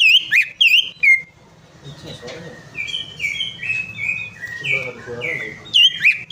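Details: Loud, bright whistled notes of a greater green leafbird open and close the passage, with a long, quieter, twittering warble in between; recording played to coax a silent bird into song.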